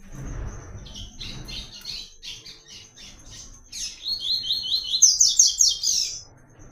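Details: White-collared seedeater in "Tui Tui" song, used as a training model: quick choppy high notes, then a loud cadenced run of repeated slurred notes climbing higher, over faint low rumble.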